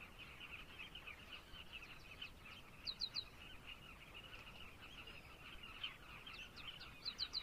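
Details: A dense colony chorus of carmine bee-eaters in Zambia: many short, throaty, rolling calls overlapping without pause, with a few higher sharp notes standing out.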